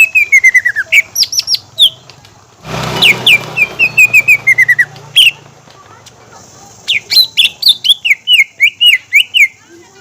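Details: Green leafbird song used as a lure: descending runs of clear whistles and sharp chips, briefly masked by a burst of broad noise in the middle.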